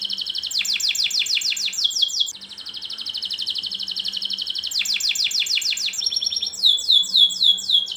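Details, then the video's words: Canary in energetic, long song used as a lesson for young canaries: rapid repeated swooping notes, a long tight rolling trill, more dense sweeps and a closing burst of high chirps, over a faint low hum. "kenari gacor panjang Cuit Cuit EMOSI, Pancingan Kenari Paud Belajar Bunyi"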